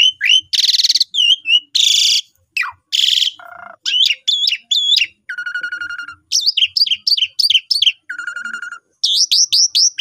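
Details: Long, energetic song of an Asian pied starling, meant for tutoring newly purchased birds: loud harsh rasps alternate with sharp whistled notes, nasal buzzy trills and quick repeated chirps in a lively, varied sequence.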